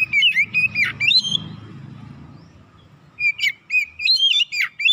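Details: Oriental magpie-robin singing a lure song to provoke birds; loud rich whistles and down-slurred chirps, a short quiet gap, then a fresh burst of sharp, rapid whistled notes.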